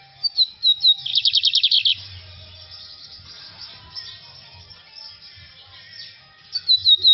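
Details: Lined seedeater singing in the corujinha song style: a few whistled notes near the start, then a fast burst of about ten rapid notes, a long quiet stretch with faint low rumble, and whistled notes returning at the end.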